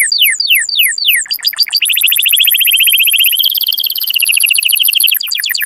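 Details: Canary singing to stimulate mating: descending slurred notes repeated quickly, then a smooth steady high trill that shifts pitch midway and closes with chopped notes.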